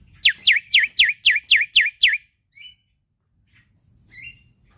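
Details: Male black-winged starling, full gacor song used to coax young starlings to sing: eight loud downward-swooping whistled notes in a quick even series, about four per second, then brief soft chirps and silence.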